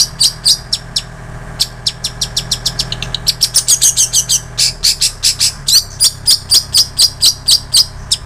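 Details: Long-tailed shrike mimicking bar-winged prinia and canary as tutor song for cage birds: rapid, insistent high chips, nearly four per second, with a few twittering bursts, set against a constant low electrical hum.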